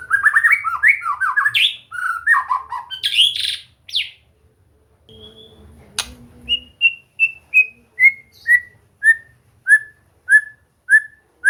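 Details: White-rumped shama (murai batu) in training to sing readily and continuously: a burst of varied chattering, warbled phrases, a short pause, then a steady series of clear downslurred whistles repeated about every half second.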